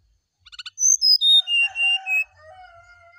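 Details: Brown-chested jungle flycatcher singing in the morning to prompt replies: quick clicks, then five or six long whistles sliding downward, with a lower drawn-out tone underneath toward the end.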